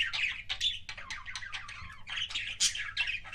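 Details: Budgerigar producing kissing sounds: nonstop chattering of short, scratchy chirps and squeaks in quick succession, fairly loud and close, with only a faint low hum behind.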